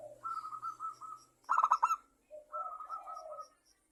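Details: Local zebra dove singing actively, used as a lure to make other doves sing: warbled trilled notes around the same pitch, then a loud burst of rich staccato notes, followed by a lower rolling coo and warble.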